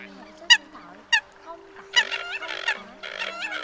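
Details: Eurasian coot, migratory, recorded for night bird-netting lures in Vietnam, giving short, nasal, honking notes, two spaced calls then a quicker run of overlapping ones, over a steady low electrical hum.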